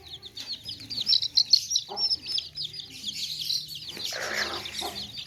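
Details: Baby chicks crowded in a tokri basket, chirping nonstop: a steady layer of thin, high peeps, with a brief lower clucking burst near the end from nearby hens.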